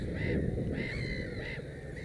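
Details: Black-headed gull at its nest with three chicks: three harsh, arched, nasal calls about half a second apart, over a steady low rumble of background noise.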